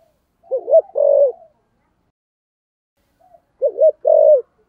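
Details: Spotted dove singing in the thổ-voice cooing style: two separate phrases of low, hollow coos, each a short double note followed by a longer drawn-out coo, about three seconds apart.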